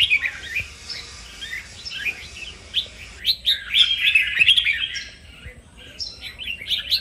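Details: Red-whiskered bulbul song for training a bird to sing and open its voice: a continuous stream of quick, varied chirps and slurred whistles, loudest in the middle, then easing off.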